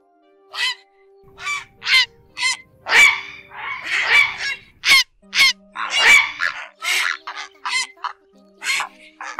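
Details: Flock-calling grey herons in a two-speaker night netting lure, August 2024 at season's end: a rapid series of harsh, rasping croaks, several per second at times, some overlapping, with a steady low hum underneath.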